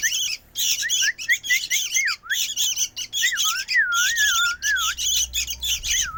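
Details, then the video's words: Noisy sooty-headed bulbul chick calling: wavering whistled notes that dip and rise, mixed with harsh raspy squawks, delivered in rapid, nearly continuous bursts with short gaps. "Ributnya ini Anakan burung Kutilang"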